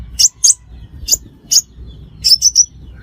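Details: Sunbird called the five-coloured sunbird, a sound used as a trapping lure. Single sharp high tsip notes are spaced irregularly, then end in a close run of three ringing chips.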